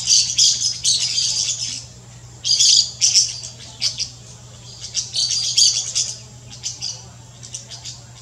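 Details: Golden-winged parakeet recorded in the Brazilian Amazon, giving bursts of high, raspy screeches and chirps, clustered in loose runs with short pauses between, over a faint constant low hum.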